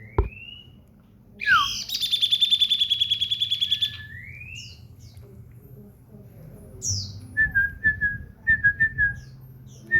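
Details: Common iora, a house bird in full song, delivers a sharp upward whistle and then a two-second rapid pulsing trill. A sweeping rising note follows, and later a string of short clipped whistles, with faint high chirps in the background.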